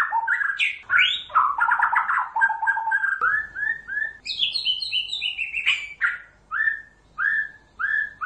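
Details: White-rumped shama song used to lure other shamas into answering: a varied run of rich whistled and chattering phrases, then a high jumble of sharp notes, ending in separate downward-slurred whistles repeated about every half second.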